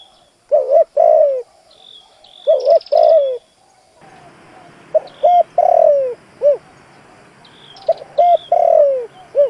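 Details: Spotted dove serving as a decoy to attract wild doves, repeating double-note-and-falling coo phrases, joined midway by a second dove's coos over added background noise, with high small-bird chirps.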